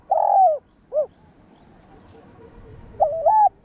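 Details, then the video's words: Spotted dove coos used for decoy-bird training: a long rich coo and a short falling note end one phrase, then a new phrase opens with a wavering double coo over a quiet backdrop. "chim cu gáy kích bổi gáy cả ngày/tiếng chim cu đất gáy kích bổi tập mồi hiệu quả"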